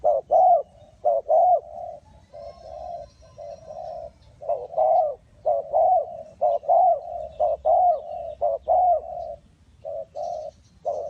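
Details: Spotted dove recorded during bird trapping in Ninh Thuận, with low cooing phrases repeated about once a second. Each phrase has a short note followed by a longer, slightly arched coo, over a quiet rural background.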